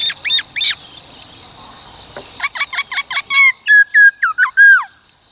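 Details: Caged white-cheeked laughingthrush singing in the forest 'Bao Phê' style, used to train young and wild-caught birds: clear whistled notes, some rising and some falling, in quick bursts with a steady high tone running throughout.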